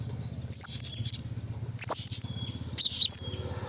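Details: Blue-crowned hanging parrot calling to lure forest rivals: three clusters of shrill, very high buzzy chattering notes within under four seconds, over a low rumbling background.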